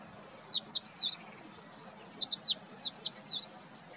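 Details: A crested lark at Poleg swamp, Israel, on 7 April 2022, gives short phrases of three or four clear, fluid whistled notes that rise and fall, repeated with brief pauses, over quiet background hiss.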